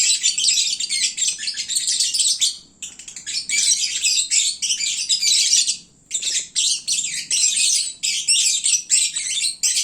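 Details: Several caged lovebirds chattering noisily at midday while full and sleepy: dense, harsh high chirps and squeaks in long overlapping bursts, with brief pauses, like a crowded bird market.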